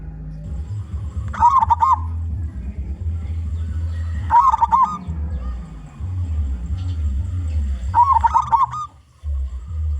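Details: Local zebra dove singing, used to lure other zebra doves: three short, gurgling coo phrases spaced about three seconds apart over a steady low hum and faint background music.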